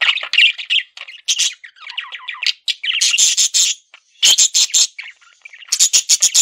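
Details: Male budgerigar kept as a pet, chattering in bursts: grating warbles alternate with very high, sharp clicking trills, separated by short silences.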